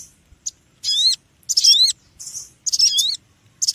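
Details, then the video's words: Small, noisy bird uttering loud, shrill, bending chirps in rapid groups of two or three, separated by brief pauses. "Suara Burung Kecil Ribut"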